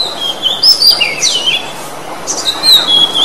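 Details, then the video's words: Oriental magpie-robin (kacer) song used as a lure to get silent kacer singing: a lively run of clear, high whistles sweeping up and down, with quick varied phrases and brief chattery notes in between. "KICAU BURUNG KACER Khusus Untuk PANCINGAN KACER MOGOK NGOCEH"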